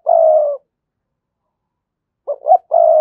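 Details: Spotted dove decoy calling intended to make other doves coo: a long, even, low coo, a pause of about one and a half seconds, then two short rising hoots and another sustained coo.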